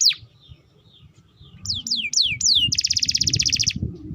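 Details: Canary singing long and steadily, used as a tutor recording to train young canaries: faint whistled notes, then four loud downward-sweeping whistles and a fast, even, buzzy trill; low rumbling background noise.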